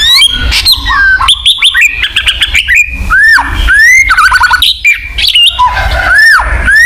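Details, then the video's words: White-rumped shama song chosen to prompt a kept bird to sing and stir its territorial instinct. Rich, rapid series of whistled arcs, swoops and sharp upward flicks, loud and continuous with brief gaps. "PESONA MURAI BATU GACOR/pancingan burung murai batu agar bunyi"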